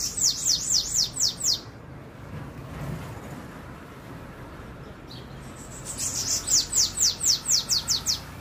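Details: Bananaquit singing: a quick run of high, thin descending notes, about six in a burst, then a quiet pause and a second, longer run of similar sharp falling notes.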